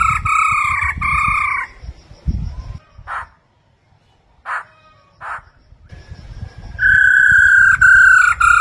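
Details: A female Chinese hwamei trilling to stimulate a male gives loud, rich whistled notes in two long bursts, then three short clipped notes, ending on a sustained ringing whistle.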